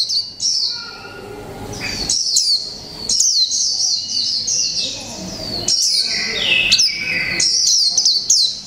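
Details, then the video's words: Caged Japanese white-eye of the mộc tinh type, one month in the cage, singing in the líu pha chòe trống style: high, rapid warbled phrases with quick downward-sweeping notes in bursts separated by short pauses, faint lower background sounds. "chim khuyên mộc tinh 1 tháng lồng '' LÍU PHA CHÒE TRỐNG '' cực hay"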